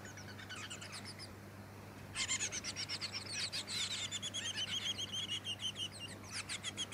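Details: Splendid fairywren of the black-backed subspecies, recorded in Victoria, Australia, in December 2017, giving a fast, high, reeling trill of rapidly repeated notes that runs for several seconds, over steady low hum.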